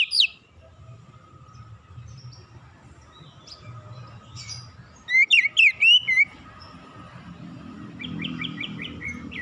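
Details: Oriental magpie-robin singing as a relaxed lure to get untrained birds singing quickly; two short bursts of bright, sliding whistled notes, one at the start and a rapid run near the middle, with a faint steady hum between.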